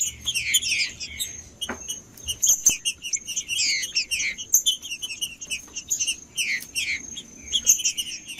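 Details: Green-winged saltator in captivity singing to warm up a cold bird: busy chatter of high chirps and short slurred whistles in quick clusters, a few sharp clicks heard between phrases.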